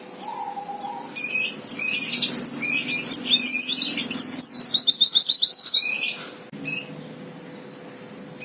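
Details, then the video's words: White-eye fighter song meant to provoke a rival into singing: a brief lower whistle, then dense, rapid, high chattering twitters and a fast buzzy trill, ending in a short burst and a faint thin note. "Suara Pleci Fighter Memancing Lawan Agar Cepat Nembak"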